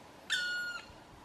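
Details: Black woodpecker in the forests of Mañanga near La Pereda, Llanes, Spain, gives a single drawn-out, plaintive note, clear and rich, sliding slightly downward over half a second, against a quiet background.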